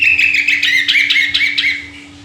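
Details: Lively sooty-headed bulbul song, a continuous run of rapid bubbly chirps rising and falling in quick succession for about two seconds, then fading. A faint constant hum sits underneath.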